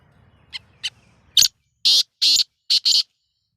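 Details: Caged pet black francolin (kala teetar), a beginner calling bird on its first attempt: two faint short notes, then five loud, harsh, rasping bursts in quick succession, each about a tenth to a fifth of a second long.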